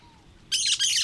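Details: Cactus parakeet: a short burst of harsh, buzzy screeching broken into two rough notes, after a faint falling whistle from another bird.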